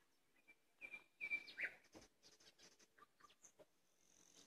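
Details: Common nightingale singing in May, starting with a soft whistle, then loud rhythmic trilled notes and a slurred phrase, followed by quick clicks and faint high whistles.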